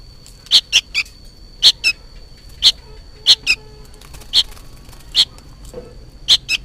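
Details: Juvenile sooty-headed bulbul noisily calling as if for its parent: short, harsh, high chirps in irregular pairs and singles, roughly once a second, with a faint steady high tone behind.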